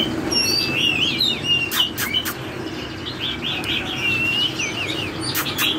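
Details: Oriental magpie-robin with a teardrop-shaped body singing in the wild-sounding "forest voice" style: varied high whistled notes and quick warbled trills, with sharp clicks and steady background hiss.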